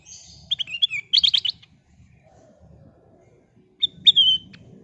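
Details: Golden sooty-headed bulbul (kutilang emas) in full song, played as a lure to draw out other birds: a tumbling string of sweet whistled notes, a pause, then a clear slurred whistle phrase, faint low rumble behind.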